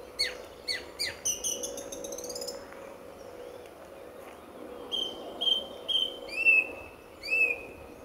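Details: Song thrush singing at dawn at RSPB Fowlmere, February 2014; a quick series of sharp clipped notes speeds into a rattle, then after a pause a slurred whistled phrase is repeated four times in succession.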